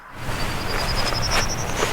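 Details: A Prairie Warbler in May, in a meadow at Brandywine Creek State Park, Delaware, burned in late March, sings rapid, thin, buzzy notes climbing higher, about eight per second, over wind rumble. A white-eyed vireo is also present.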